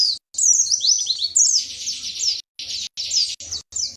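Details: White-eye (pleci) from Indonesia singing in the wiksar style with a tembakan materi burst: high, rapid chirps and descending whistled slurs in quick bursts broken by short silences.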